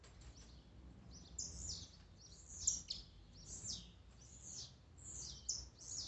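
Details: Blue-black grassquit (tiziu) singing, in a recording meant to stir up a kept bird: a dense run of high, buzzy, downslurred bursts following one another closely, possibly overlapping singers, with low rumbling background noise.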